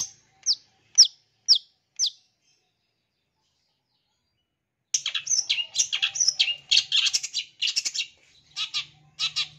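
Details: Long-tailed shrike lure sound for young wild-caught birds, rich in imitated phrases; four clipped, down-slurred notes half a second apart, a silence of nearly three seconds, then a busy, rapid medley of chattering and buzzy phrases.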